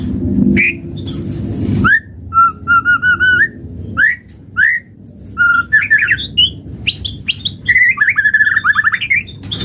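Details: White-rumped shama song used as a lure to make other birds sing: clear whistled notes, a steady repeated whistle, then rapid varied warbling phrases rising and falling, with brief pauses between bursts.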